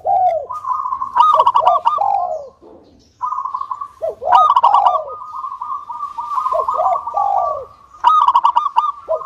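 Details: Vigorous local zebra dove, whose song is meant to coax other doves into singing. Soft falling coos lead into long, fast, bubbling trills. Each phrase repeats after a brief silence.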